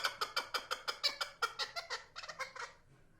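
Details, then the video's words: Chukar partridge calling a steady string of loud, raspy chuck notes, roughly six per second, that loosen into doubled, slightly faster notes before trailing off. Background is otherwise quiet. "Кабк чучаи сурак дар хондан дромадай صوت الحجل جميل جدا"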